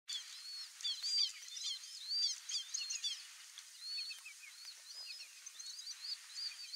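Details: Four young Least Grebes in a flooded region give a steady stream of thin, high, overlapping chirps and short slurred whistles, about one a second, over a faint background hiss.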